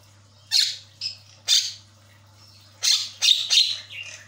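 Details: Javan myna singing as a lure to prompt a silent bird into chatter: loud harsh squawking bursts in pairs and triplets separated by short gaps, a softer trailing note at the end, and a low hum.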